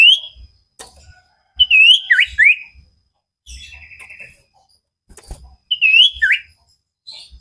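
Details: Common iora song on a training recording for caged birds: loud phrases of swooping, rising-and-falling whistles, repeated after pauses, with a short buzzy trill between them and faint knocking sounds.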